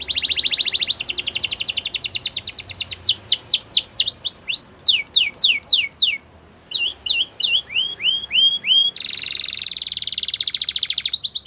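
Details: Singing Spanish Timbrado canary delivering a quick rattling roll, then slower sweeping notes that dip and rise, a brief pause, looping whistled phrases and a final hurried metallic trill.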